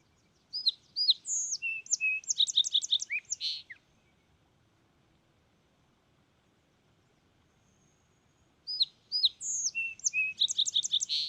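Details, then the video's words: Fox Sparrow (Passerella iliaca) giving two bright, rich phrases about eight seconds apart, each a tumbling run of sweet whistles and quick buzzy trills, with a quiet pause between. "Fox Sparrow Bird Sound Video: Bird Call"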